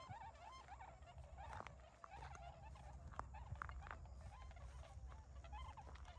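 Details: Freshly arrived migrant Tundra swans in early-winter rice fields by Ochigata lagoon, Hakui, 3 November 2022; overlapping bugling honks from a calling flock, some louder arched notes standing out, with clicks and a constant low background rumble.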